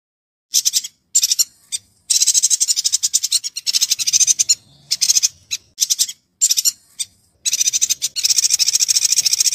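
Yuhina giving rapid bursts of high, thin, chattering and buzzy notes in quick runs separated by brief pauses, with no other clear sounds.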